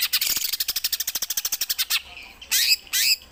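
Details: Caged greater green leafbird singing song variations at home, including the rarely performed Gereja Tarung style: a fast rattling series of sharp high clicks about seven per second, then two loud rising buzzy squawks.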